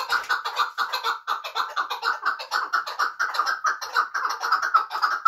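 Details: Chukar partridge from Muminobod, a bird kept for hunting, giving a steady run of hoarse, clucking chuk notes, roughly two per second, repeated without pause in a dry indoor-sounding space.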